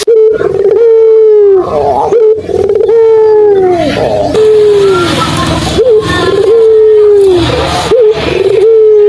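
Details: Puter dove calling eagerly to coax quiet doves into replying. Each coo starts with a brief rising note and holds a long, even tone that drops off at the end, repeated in a steady series.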